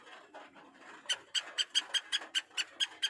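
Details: Black francolin, known locally as kala teetar, calling: a rapid run of harsh, clipped notes at about five per second, following a quieter, murmuring start.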